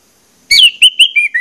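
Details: Orange-headed thrush lure phrase: a loud, bright whistle slurring downward, followed by three or four short, clear whistled notes that step gradually lower.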